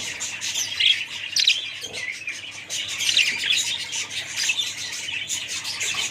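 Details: High, lively twittering from several budgerigars, with overlapping chirps, squeaks and warbled phrases filling the whole stretch.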